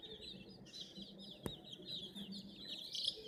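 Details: Several hen chicks near a toy crane give rapid, high, falling peeps in a continuous chorus, with one sharp click midway and a low hum beneath.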